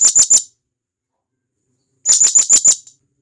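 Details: Calls of a wild blue-crowned hanging parrot summoning companions: three fast shrill chips, a pause of about a second and a half, then a longer run of six similar high notes.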